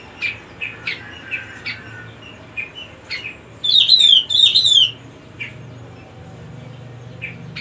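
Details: Cucak rumbai giving a run of sharp high chirps, then a strong warbled phrase of rolling whistled notes, then sparse chirps again; a faint low hum runs throughout.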